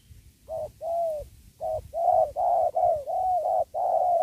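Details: Spotted dove (tekukur) cooing beside a sacred tree during trapping, used to lure wild doves: a series of low, hollow coos in quick succession, rising slightly then steady, with faint low rumble beneath.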